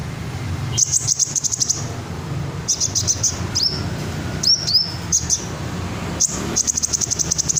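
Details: Red sunbird song: thin high metallic notes, quick trills and sharp upslurred whistles in short bursts, over steady low hum.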